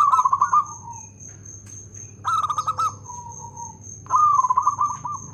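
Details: Local zebra dove, actively singing with a loud voice and good rhythm, gives three bursts of quick, pulsed cooing notes. Each burst trails off into softer, lower coos, over a constant high-pitched whine and a faint low hum.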